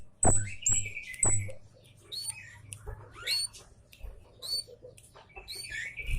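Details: Scarlet-headed flowerpecker lure sound: three piercing high chips at the start, then thin rising twitters and scattered high ticks, over a faint low hum.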